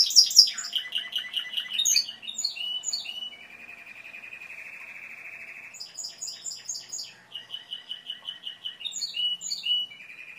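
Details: Timbrado canary in full song: loud chattering high phrases, then a long, soft, lower rolling trill held for about two seconds, followed by more rapid repeated notes and trills, with a faint low hum underneath.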